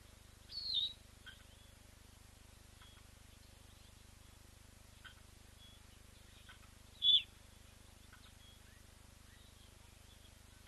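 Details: Blacksmith lapwing with leucistic chicks hatched within the last 24 hours, on a lodge webcam: two sharp high metallic notes about six seconds apart, with faint scattered chirps and a low steady hum.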